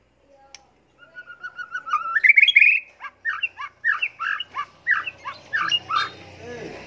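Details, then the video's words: White-rumped shama competition song used as a tutor recording, in the style filled with mimicked garden-bird phrases. It opens with a rising whistled line, then gives a quick run of loud, repeated, downslurred chirpy notes about three a second. "MASTERAN MURAI BATU"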